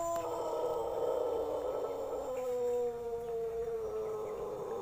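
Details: Long crow of a Pelung chicken from Plered in Purwakarta Regency, a sustained, resonant, harmonic note held for almost five seconds, with a small downward step midway and a slow fading finish.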